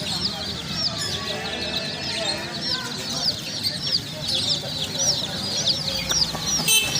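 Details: Domestic chicks chirping: many high, arched peeps repeated rapidly and overlapping throughout, with quieter human voices and low background rumble.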